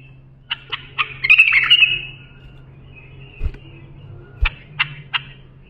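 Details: A bulbul's song for training young birds: a few spaced sharp chirps lead into a loud rolling warble that trails off as a thin whistle, followed by three more crisp notes, all over a low background hum.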